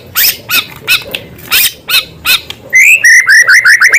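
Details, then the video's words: White-rumped shama in full song, its phrases filled with small-bird material: about six spaced, strongly downslurred harsh notes, then a fast run of bright whistled chips rising and falling around the same pitch. "Murai gacor materi isian suara burung kecil"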